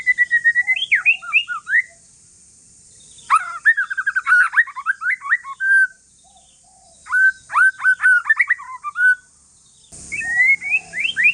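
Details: Calm song of a white-rumped shama, Aceh forest lineage, intended to make other shamas sing: three bursts of quick, varied whistled phrases with dense trilled notes, separated by quiet spells, ending in a brief noise.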